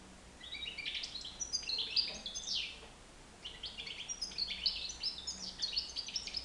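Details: A nine-month-old European goldfinch flying free inside a living room pours out fast, jingling twitters and buzzy trills in two dense runs separated by a short pause.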